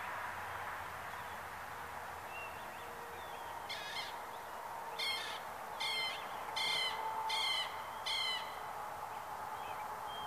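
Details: Southern lapwing calling outdoors: one faint note, then a run of five loud, harsh, strident notes spaced roughly 0.7 seconds apart, over constant background hiss and a faint low hum.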